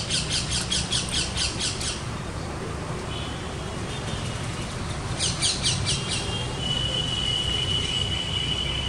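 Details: Young parrot begging while its mother feeds it: bursts of fast repeated harsh squawks at the start and near five seconds, a thin sustained whistle-like tone later, over constant low background rumble.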